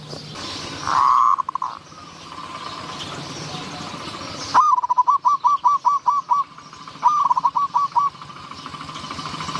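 Zebra dove giving a single soft coo, then two quick staccato runs of about eight clipped, mid-pitched cooing notes, over a faint low background hum.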